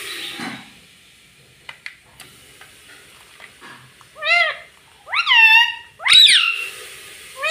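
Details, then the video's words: Pet parrot, a ringneck by the tags, kept indoors and saying words: three shrill, harmonic, rising-then-falling syllables in quick succession at the end, following a stretch of soft clicks and hiss. "Mummy mummy bolne wala tota - Talking parrot - Mitthu mitthu"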